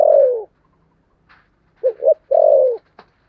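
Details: Deep, mellow cooing of a spotted dove in the 'thổ sấm' style: a long falling coo, a pause, then a double hoot and another long descending coo, with a few faint clicks.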